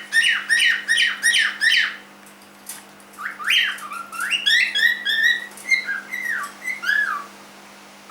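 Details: Three-month-old pet cockatiel giving bursts of harsh, harmonic squawks with upward-sweeping chirps, quick runs of about six notes, a short pause, then a longer, looser string of rising and falling calls, with a steady low electrical hum underneath.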